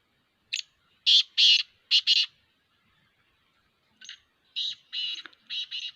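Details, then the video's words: Black francolin, locally called Kala Teetar, calling: two harsh, grating phrases of five or six loud rasping notes each, the second starting about three and a half seconds after the first, with quiet between. "Kala Teetar Voice | Kala Teetar beautiful voice | Kala Teetar sound | Black froncolin voice"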